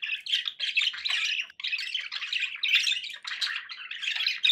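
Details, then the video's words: Pet budgies in unbroken scratchy warbling, harsh squeaky phrases running together with one brief break early on. "budgie sounds for pet birds"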